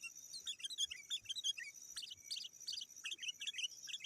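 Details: Sooty-headed bulbul calling to rivals as a lure for wild birds: rapid strings of short bubbly chirps repeated in clusters over a steady high hiss and soft background noise.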